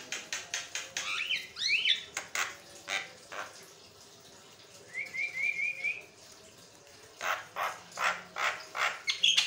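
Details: Javan myna (jalak kebo) in continuous song meant to make other mynas respond; rapid rasping clicks, a chain of five rising whistled notes, then more quick harsh pulses.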